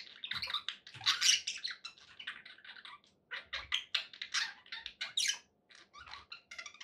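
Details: Budgerigars kept as pets, said to be happy, producing busy scratchy warbling mixed with sharp chirps and rising squeaks, a short lull midway, faint low knocks underneath.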